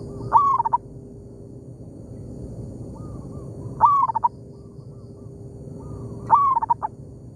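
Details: Local zebra dove trading calls with a decoy bird among oil palms: three bright coo phrases about three seconds apart, each a rising slide ending in clipped repeated notes. Quieter, more distant cooing fills the gaps, with a steady low hum beneath.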